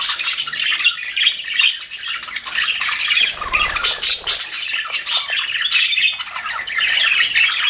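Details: Several happy budgies kept in an aviary give continuous warbling chatter, a busy mix of rapid chirps, rasping squawks and short whistles, with a brief low thump near the middle.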